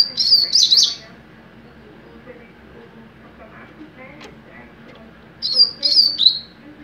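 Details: Young double-collared seedeater in mateiro song: a high, slurred phrase of several quick notes, about four seconds of quiet with faint background murmur, then another bright descending phrase.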